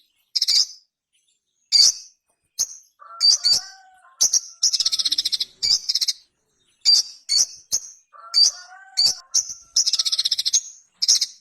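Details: Ruby-cheeked sunbird, known locally as sogon, a small brightly coloured nectar-feeding bird of flowering trees, singing in a clean, lively way: sharp high chirps and rapid buzzy trills, with a few lower whistled notes in between, bursts repeated with short pauses.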